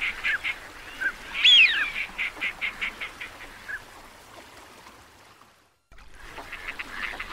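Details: Teal sounds open with a loud rising-and-falling whistle, followed by a string of evenly spaced short nasal notes that fade. A brief silence follows, then faint calling resumes.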